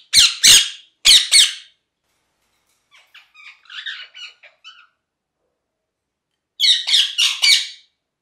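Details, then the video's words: Loud, harsh parrot squawks in pairs, then a quieter patter of short chattering chirps, and finally another triple burst of piercing, raspy squawks. "Parrot Chirping Sounds | Natural Parrot Sounds | Parrot Calling Sounds"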